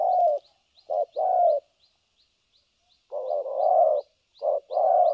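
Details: Trapping decoy spotted dove in the thổ cấn sấm nước style, giving low hollow short-then-long coos, a gap of about a second and a half, then more coos; faint high ticks repeat behind.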